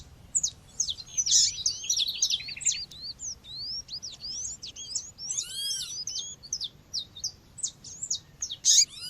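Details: Female seedeater, called coleiro or papa-capim, calling to warm up males. Long, busy stream of sharp high chirps and quick upslurred whistles, notes tightly spaced, with a couple of louder arched, buzzy notes mixed in; quiet low rumble underneath.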